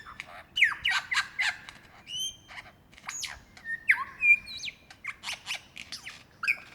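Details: Lyrebird in Victoria's Dandenong Ranges National Park, February 2016, singing to attract a female: crisp piercing downslurred notes, whistled upslides and chips in a lively, irregular sequence over quiet background.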